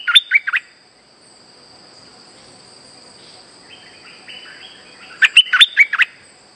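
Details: Lure song of a streak-eared bulbul for trapping: a quick bubbly phrase at the start, about four seconds of near quiet with faint soft chirps, then a longer run of rapid chirped notes.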